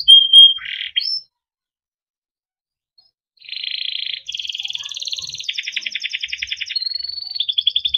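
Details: Timbrado canary, a yellow canary, singing: a brief whistle and short phrases, a pause of about two seconds, then long buzzy trills and rapid repeated notes in shifting tours, all high-pitched.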